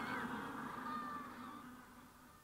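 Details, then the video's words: Adult Magellanic penguins give ecstatic braying calls close up: a harsh, donkey-like bray, low and strongly harmonic, holding steady then fading over a murmur of general colony noise. "Magellanic Penguin / Ecstatic (Braying) Calls CU From Adults, General Colony In Background"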